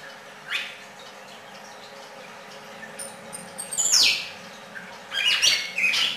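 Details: Red-crested cardinal singing: after a quiet stretch, a bright note sweeps steeply down from high to mid pitch, followed by a short cluster of sharp chirps. A low steady hum runs underneath.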